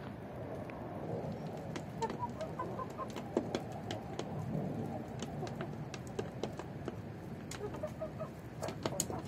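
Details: A flock of Lori chickens, a breed from the forested west of Iran, Shahrekord and Isfahan, kept at home, clucks and murmurs in steady, overlapping low chatter, with a few sharper clicks and scratches from the yard.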